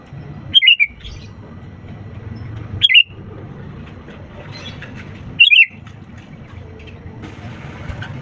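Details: Lively sooty-headed bulbul song meant to draw silent birds into singing: three short whistled phrases, each falling in pitch, repeated at intervals of two to three seconds, with a constant low rumble beneath.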